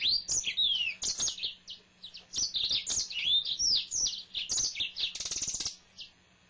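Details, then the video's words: A pet male yellow-fronted canary sings a long, energetic phrase of high swooping whistles, chips and a short buzzy rattle, repeated in bursts over six seconds, ending with a faint low hum. "Finch Green Singer Song (Serinus mozambicus )"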